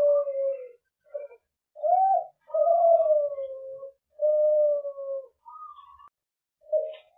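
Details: Young captive-bred Kelantan-type spotted dove from Semarang, Central Java, singing in a duet with another juvenile Kelantan bird. Long, drawn, level coos and rising swells alternate with short notes.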